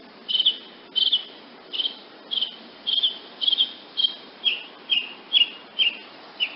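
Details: A woodnymph hummingbird repeats sharp, high chip notes in a steady series of about a dozen, roughly two each second, some doubled. No other sounds stand out.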